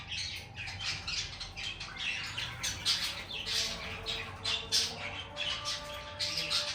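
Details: Lovebird singing and chirping: dense, harsh, scratchy chatter with squawky high chirps running continuously, plus a faint steady hum in the background.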